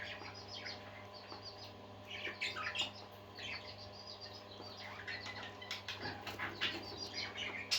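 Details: Several budgerigars warbling in a quieter indoor setting, with soft chirps and scratchy twitters in loose bursts, occasional sharper squeaks, and a constant low hum behind them.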